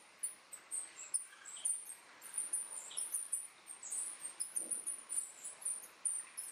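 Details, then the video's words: Thin, very high tsit notes from a Bay-headed tanager, given in quick irregular bursts several times a second, with faint lower chips in a quiet background. "Bay-headed Tanager"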